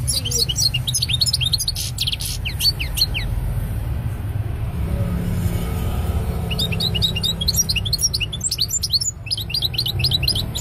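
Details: European goldfinch song: bursts of fast, high twittering and tinkling notes at the start and again in the last few seconds, separated by a quieter gap, with a constant low rumble beneath.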